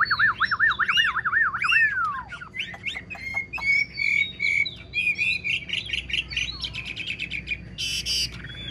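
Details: An old wild-caught Chinese hwamei, kept caged and praised for its voice, opens with a rolling series of loud looping whistles rising and falling. It then delivers brisk repeated trilled notes and a dense rapid burst near the end.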